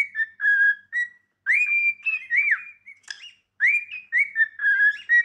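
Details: Cockatiel practising its song: a string of whistled notes, some flat and held, others swooping up then down, in bursts separated by short gaps; no other sounds.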